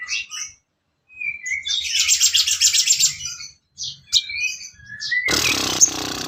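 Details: Sooty-headed bulbul song meant as training material for songbirds, made of scattered short high chirps, a burst of rapid chattering notes and a few slurred whistles, ending in a harsh broad rasping noise.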